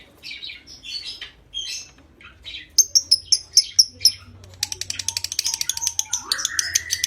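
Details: Konslet lovebird, ngekek song to stimulate breeding condition: first scattered squeaky chirps, then bright, high repeated notes, and finally a quick, buzzy chattering run with a rising whistle laid over it.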